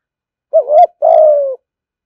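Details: Spotted dove 'thúc gù' coo, aimed at drawing doves to a fighting perch: a short undulating note rising at its end, a brief gap, then a long steady coo that slowly falls away.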